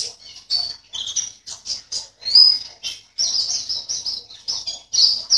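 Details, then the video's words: Competition white-eye from Sambas, West Kalimantan, in a cage: separate high chirps and short slurred notes at first, building into a louder, continuous warbling twitter toward the end. "LOMBA PLECI ONLINE 16 - Aksi Pleci VIRUS"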